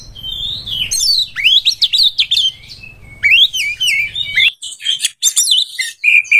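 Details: Oriental magpie-robin seeking a rival to fight: fluid whistled phrases with rising slurs and sharp chips, then scratchy high notes and a final steady whistle.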